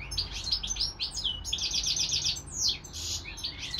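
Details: Kept European goldfinch, housed with a hybrid serin-canary, singing chattering phrases of repeated chirps and sweeping slurred notes over a noticeable hiss and low rumble.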